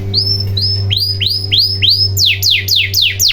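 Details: Canary song used as a lure to get silent canaries singing: a series of upswept whistled notes, then fast high downward-sliding sweeps, repeated about four times a second over a steady low electrical hum.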